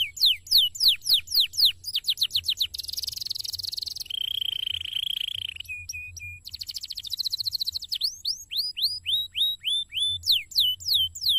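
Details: A canary kept in a cassava garden sings a fast, varied song: quick repeated upswept notes, a buzzy rolling stretch, a sustained whistled tone, then more rapid sweeping phrases, several notes per second.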